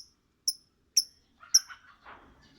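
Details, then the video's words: Lovebird sounds: sharp, very high, clipped chirps repeated about every half second, followed by a short burst of lower scratchy chatter. "suara Lovebird bernyanyi"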